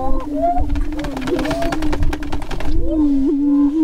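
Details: Greater prairie-chickens during the spring mating dance on a lek near Crookston, northwest Minnesota, 27 April 2013: a low booming tone persists with a few rising whoops, partly masked by rapid broadband fluttering or stamping noise.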